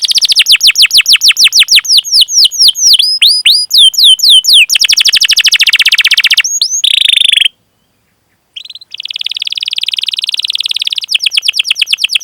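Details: Canary long rolling song for training other canaries to sing: quick repeated notes, downward slurred whistles and buzzy rolls, a brief pause, then renewed steady trills.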